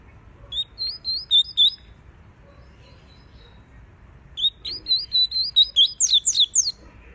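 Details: Double-collared seedeater giving tui tui song for training a young bird and warming up a female: two bursts of rapid, high slurred whistles. The first has about six notes. The second is longer and ends in sharp descending sweeps.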